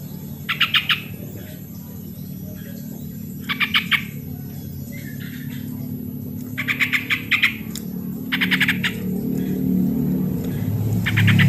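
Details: Original sooty-headed bulbul lure recording to get lazy birds calling: short bursts of rapid, bright chattering notes repeated every two to three seconds, while a low rumbling noise swells toward the end.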